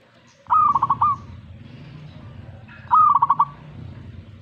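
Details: Zebra dove singing in reaction to a master recording: two short phrases around two and a half seconds apart, each a clear opening note followed by a quick run of ringing, pulsed coos, over a low rumbling background.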